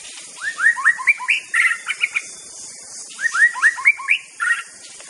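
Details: Aceh white-rumped shama repeating one phrase twice, about three seconds apart: a run of rising, upslurred whistles on stepped pitches, ending in a brighter, fuller note, against faint high hiss.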